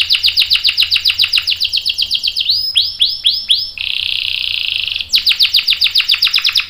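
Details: Canary song with a long rolling (ngerol) style: rapid repeated sweeping chirps, a few slower down-slurred whistles, a sustained buzzy trill, then fast repeated notes again.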